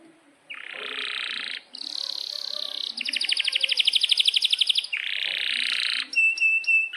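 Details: Canary in breeding condition, singing vigorously with long rolls, used as a tutor song for young canaries. Buzzy high trills alternate with a fast pulsed roll of about twenty notes, then a steady whistled tone and crisp chips.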